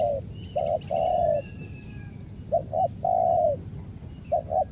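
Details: Tekukur, the spotted dove, calling as a decoy for wild birds in Lombok: three phrases of two short coos and a long mellow coo, spaced about two seconds apart, with faint high bird twitters.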